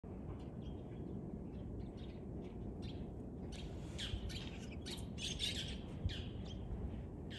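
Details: Two white-cheeked starlings, recorded 17 February 2023, give harsh, squawky chattering notes, sparse at first and then busier, over a steady low rumble of wind or traffic.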